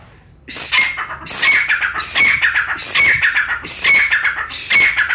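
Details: Loud calling of a Pakistani brown francolin, recorded for hunters. Rhythmic, scratchy, shrill phrases begin after a short quiet moment and then repeat about once a second, each with a high piping peak.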